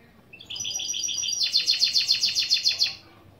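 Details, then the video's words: Goldfinch × canary mule singing opening phrases as a lesson: quick, even, bright, high chirps, then a faster rolling run of sweet, buzzy notes about four per second. "Saka Melezi Ön Çıkışlar"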